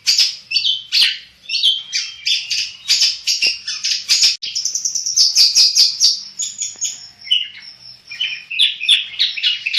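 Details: Long-tailed shrike of the black-headed form in full, nonstop song: a dense, rapid jumble of scratchy chatter, trills and short whistled phrases, with no pauses throughout.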